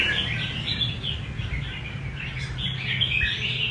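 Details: Softer warbled phrases from a red-whiskered bulbul in 'rê cầu' song style, fairly continuous chirpy notes over a noticeable low hum.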